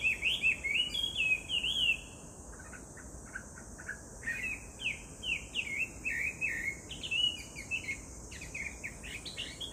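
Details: Chinese hwamei song, recorded 18 July 2019: bouncing zigzag whistles, a pause filled with soft clipped notes, then renewed bursts of varied whistled phrases, over a steady high insect buzz.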